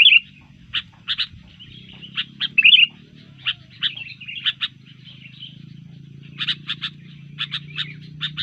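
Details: Sooty-headed bulbul made aggressive by disturbance, giving loud warbled bursts and many separate sharp chip notes, some in quick pairs, above a steady low hum.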